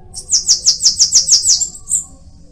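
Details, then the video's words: Bananaquit singing a rapid run of eight high, sizzling trilled notes, evenly spaced and very high-pitched, ending with a short thin note after a brief pause. "Cambacica| Sibite|tietê|mariquita|chupa-mel|til |sebinho |caga-sebo|chupa-caju| guriatã canto"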